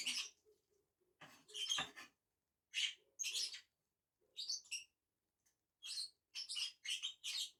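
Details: Two lovebirds eating in a tree give sharp, shrill chirps and squeaky chattering notes in short bursts, with quiet gaps between them and some soft lower rustling.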